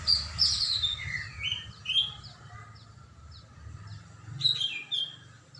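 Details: Greater green leafbird singing actively, recorded on Saturday 21 December 2024: scattered short whistled and slurred notes, some falling sharply, with a brief bright cluster near the end over a low steady hum.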